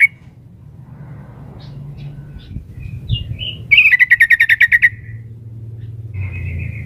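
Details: Female sooty-headed bulbul calling the male: soft scattered squeaks lead into one rapid volley of around ten crisp, slightly descending notes, followed by a faint drawn-out whistle over quiet low background hum.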